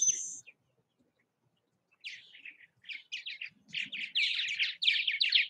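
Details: Purple Martins at nest houses in Southwest Missouri: one sharp high note, a quiet gap, then chirps building into a fast, loud run of throaty, gurgled calls through the last two seconds.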